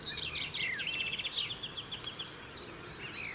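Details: Robin song from the UK, sung to keep a winter territory: faint, high, tumbling twitters and short trills over steady background hiss, with a brief falling whistle near the start.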